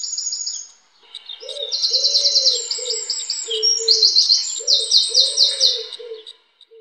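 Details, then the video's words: A wren (Troglodytidae) sings loud, very high, rapid trills in bursts, with a repeated low hooting coo from another bird underneath. "Wren Song"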